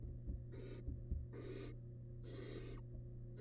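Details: Wild barn owl nestling in a research nest box, swallowing big rabbit remains; three long, harsh, breathy hisses close together, accompanied by small scratching taps and a low electrical hum.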